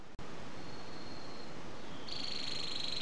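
A canary sings a high, steady trilled note that starts faintly and swells in the last second, over a heavy low rumble of background noise.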